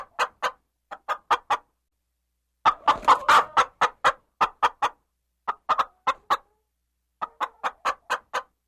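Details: Chicken and hen clucking in clusters of short clucks, with a denser, rougher flurry of overlapping clucks midway before the spaced clucking returns.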